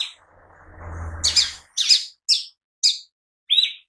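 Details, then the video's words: After a low rumbling noise, a mini green leafbird in full song gives five crisp, high chirped notes spaced roughly half a second apart; meant as lure and daily training material. "Pancingan Cucak Ijo Mini Bunyi Gacor"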